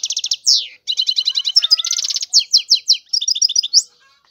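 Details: European goldfinch song: bright, high-pitched tinkling runs of quick chirps, mixed with short rattled trills and downslurred notes, delivered in a lively, continuous stream.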